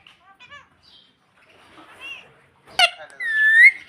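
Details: Pet green ringneck parakeet talking, mimicking the word "mummy": short nasal, word-like syllables repeated, then a sharp harsh squawk and a drawn-out, slightly rising whistled note.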